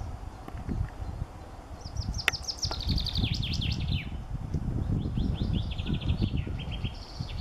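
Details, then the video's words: Common chaffinch song: a run of sharp notes falls in pitch and quickens into a rattling end flourish. Later, softer repeated notes follow, over a constant low wind-like rumble. "Ein Buchfink singt"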